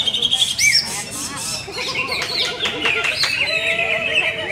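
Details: Greater green leafbird, a champion bird being sold, opens with sharp rising whistles, then a burst of rapid chatter and a short buzzy trill, ending in sustained high twittering.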